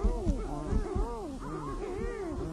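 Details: Sooty shearwaters, also called titi or muttonbirds, calling at night from their burrows on protected Rangatira island; many overlapping moaning, wavering calls rise and fall together in a dense, continuous chorus with low rumbling underneath.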